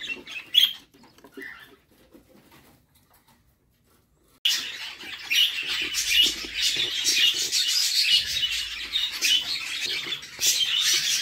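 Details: Nest-box budgerigar chicks fed by their mother; a few faint chirps and near silence give way after about four seconds to a sudden loud, steady stream of raspy begging chatter.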